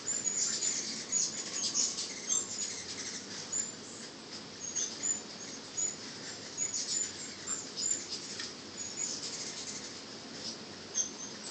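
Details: Many hummingbirds at a nectar feeder, returned after being spooked and recorded from a distance, give very high, thin chips and squeaky twitters, irregular and overlapping, over a steady hiss that may include soft wing hum.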